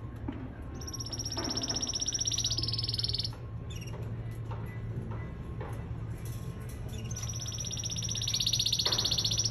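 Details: Singing-training male canary: two long, fast high rolling trills, one at the start and one at the end, with brief chips between them and a continuous low hum in the background.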